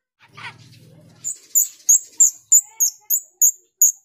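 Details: Female grosbeak starling, jalak rio, used as a lure: after a brief low murmur, high sharp metallic chips repeat about every third of a second, steady and piercing, with faint lower whistles beneath.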